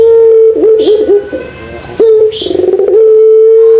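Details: Puter pelung dove, or Barbary dove, on a training recording for caged doves: a sustained level coo, a stretch of tremulous, warbling notes, then the steady drawn-out coo again.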